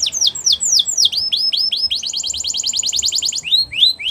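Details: Canary singing for training young birds: looping whistled slurs, then falling sweeps, a rapid even trill of short high notes, and rising whistles at the end, over faint low background hum.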